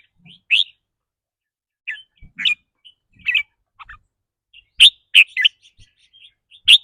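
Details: Red-whiskered bulbul singing rik rua, rapid trilling tied to its mood that day: sparse bright chirps and short slurred notes at first, becoming a denser cluster of sharp, loud notes toward the end, with faint low taps.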